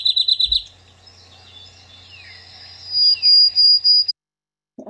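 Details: Field Sparrow singing from low to mid levels gives a plaintive, sweet song of high whistled notes, with bouncing trilled notes and long slurred whistles, over a faint hum, with a brief voice at the end.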